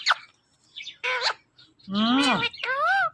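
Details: Pet Indian ringneck parakeet talking indoors, giving a run of bright, harmonic, cat-like 'meow' imitations: short nasal syllables, one lower sliding note and a final bent, wavering call, with gaps of silence between.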